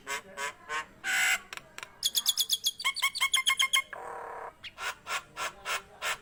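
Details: Nias hill myna in vigorous song, used as a tutor recording: harsh squawks, a run of rapid clipped notes, a broad buzzy burst, then evenly spaced loud calls.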